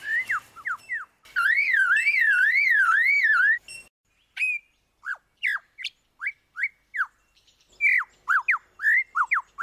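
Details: Lyrebird mimicking other sounds: a sweeping, wavering whistled trill that swings up and down steadily, then a run of short, sharply falling whistled notes in quick, uneven succession.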